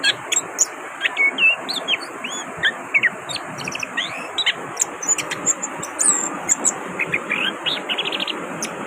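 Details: Lively singing from an orange-headed thrush, with a rapid mix of looping whistles, sharp chirps, high squeaky notes and a short rattling trill near the end, set against a constant high-pitched background hiss.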